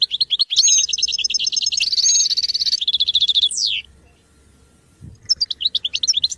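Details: Goldfinch song used for song training of goldfinches: rapid twittering and buzzy trills high in pitch, a sustained dense jangling phrase, a fast descending slur, then a pause before sharp repeated chirps resume.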